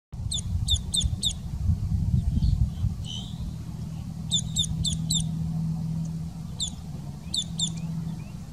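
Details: In a stormwater treatment marsh in St. Johns County, Florida, a boat-tailed grackle makes a variety of calls, giving repeated bursts of three or four sharp, high, metallic notes over a steady low rumble of wind or traffic.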